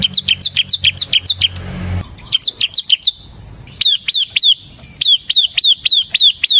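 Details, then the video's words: Bar-winged prinia (ciblek semi) pouring out gacor ngebren song: repeated runs of sharp, high, falling chirps at a fast, steady pace, with brief breaks and a short low rumble early on. "suara burung CIBLEK SEMI GACOR Ngebren Ampuh untuk Pancingan Ciblek Kristal dan Masteran Ciblek"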